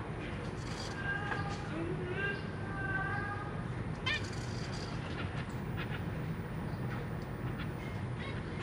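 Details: Caged zebra finch family on 23 June 2023: parents feeding three juveniles and three newly hatched babies; nasal, harmonic chirps come in short bursts over a steady low hum, some gliding slightly, clustered in the first half.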